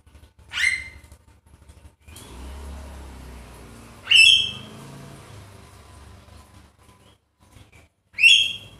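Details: Javan myna giving three loud, harsh whistled notes with a ringing edge, about four seconds apart, used as a lure recording to prompt lazy mynas to sing; a low background rumble fills the gaps.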